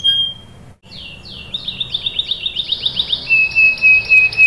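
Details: Canary singing to make others answer: a brief whistled note, a pause, then a series of quickening upswept chirps leading into a sustained clear whistled roll.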